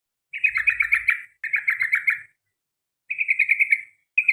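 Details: Sooty-headed bulbul (trucukan) singing in the long rapid 'ropel panjang' style with garuda-type phrases: fast chattering 'cuk cuk cuk' bursts about a second long, repeated with short pauses.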